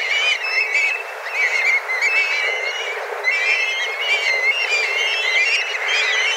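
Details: Several dozen black kites circling together while searching for food, calling fiercely; a steady chorus of shrill, wavering whistles overlapping one another, with short bursts swelling and fading every second or so.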